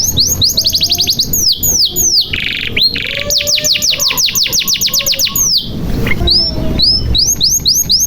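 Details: Canary singing nonstop as a lure for canaries that have stopped singing: fast rolling trills of downward-slurred notes, a buzzy rattle, another long trill, then spaced upswept whistles over faint background rumble.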